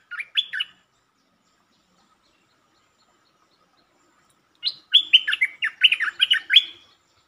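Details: Streak-eared bulbul recorded 13 February 2023, singing several song styles including long and doubled songs: a short burst of bright chirps, a pause, then a rapid run of buzzy, rising-and-falling warbled notes lasting about two seconds.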